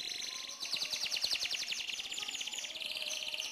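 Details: Vigorous canary song: a continuous rapid high trill of tightly packed notes that shifts slightly in speed and pitch through the clip.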